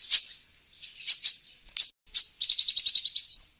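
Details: Sunbird call used as a lure for wild birds: high sharp chirps, then a fast even rattle-like trill of about ten quick notes near the end.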